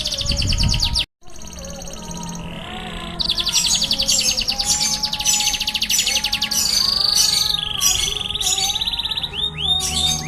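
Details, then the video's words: Canary performing roll tembak song: a short break after a burst, then long, fast, high rolling trills in shifting tours, a sustained buzzy passage, and closing downward-swept notes, over soft lower whistles. "Kenari rutgal gacor roll tembak"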